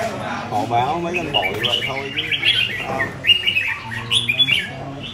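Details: Red-whiskered bulbul in captivity: after a short spell of human speech, the bird sings a run of clear, chirpy whistled phrases, a few sharp notes standing out near the end.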